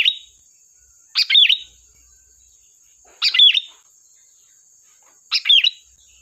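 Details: Sooty-headed bulbul singing for use as a lure: three quick bubbly phrases about every two seconds, each a burst of chirps folding into a short whistled slur, over a constant faint high whine.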